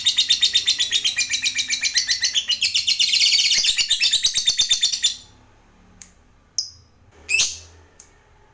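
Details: Lovebird calling to make other lovebirds answer: a loud, rapid, high-pitched chattering of harsh pulses, about four per second, for five seconds, then a few sharp isolated chirps in near silence.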